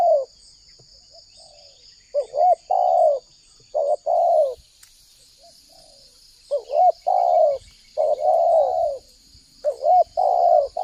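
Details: Lure calling of a spotted dove in Indonesia for attracting wild doves: groups of hoarse, rolling coos, a short upturned note followed by longer falling ones, returning after quiet gaps over a steady high whine.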